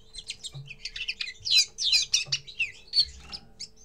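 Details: First song of a common linnet: a fast, twittering run of varied chirps, trills and short whistled notes packed high, loud and continuous, with a steady faint mains hum beneath.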